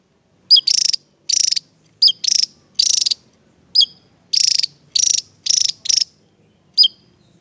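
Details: Javan tesia singing. It is sought as a tutor bird for teaching songbirds. Crisp, high, pointed notes are each followed by a quick, rattling, buzzy trill, and these pairs repeat steadily against a quiet, faintly humming background.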